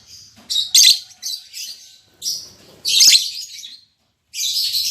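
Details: Shrill, raspy chirps and squeaky chatter from a newly matched lovebird pair in a cage, an albino MM male and lutino MM female, in uneven bursts, loudest near the start and middle.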